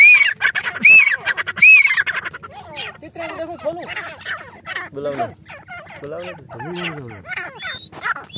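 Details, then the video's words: Caged grey francolins and another grey francolin that appeared nearby call to each other: three loud, shrill, arching calls in quick succession at the start, then a man talks over fainter bird chatter. "Gray Frahcolih voice silver teetar | تیتر کی آوازیں"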